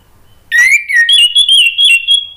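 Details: Orange-headed thrush giving a long, steady whistled note that steps up once and wavers, with thin high squeaks above, meant to draw out singing.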